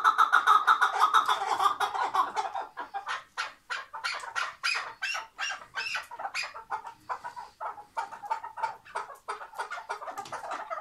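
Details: Tethered chukar partridge from Şırnak, Turkey, opening with a rapid chuk series, then breaking into louder, harsher, irregularly spaced cackling notes that keep going for several seconds.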